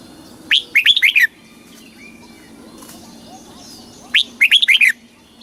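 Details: Red-whiskered bulbul, a caged Thai songbird, giving southern master-style song meant to stimulate caged birds and tutor young ones: two rapid clusters of bright, bouncing whistled notes about three seconds apart, quiet between.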